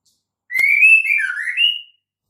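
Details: Female white-rumped shama giving its characteristic call, used to lure males into singing: one clear whistled phrase, rising then dipping and rising again, about one and a half seconds long, with a single sharp click at its start.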